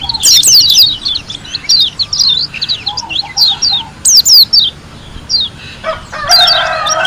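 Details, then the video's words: Lombok white-eye (pleci) song. Rapid, high, sharp chirps and downslurred whistles come in lively bursts. A brief scratchy, harsher phrase appears toward the end. "KUMPULAN SUARA PLECI GACOR ASLI DARI LOMBOK‼️ SUPER NGALAS TEMBAKAN MEWAH"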